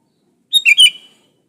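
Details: Sooty-headed bulbul in active song, a natural recording without inserted songs of other birds, used to prompt other bulbuls to sing: one short bubbly phrase of three quick liquid notes, slurring down at the end, in silence.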